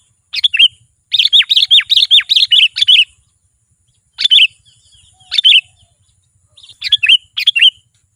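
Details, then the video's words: Sooty-headed bulbul giving bright, bubbly whistled phrases, a rapid run of about ten notes then shorter bursts a second or so apart, a song used to call wild bulbuls in. "SUARA BURUNG KUTILANG GACOR"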